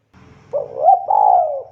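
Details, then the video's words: Spotted dove giving a vigorous call: one soft, low, hollow coo that rises slightly, breaks briefly, then holds steady as a longer mellow note before fading, with a faint low hum beneath. "SUARA BURUNG DERKUKU TEKUKUR GACOR"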